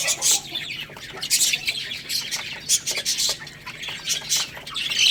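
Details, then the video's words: Baby chickens at a rice feed chirp in loud, shrill bursts with some squawky notes, several birds calling over one another amid clicking sounds. "Crazy Little Chicks Eating Rice | Cute Baby Chicken Chirping Sounds"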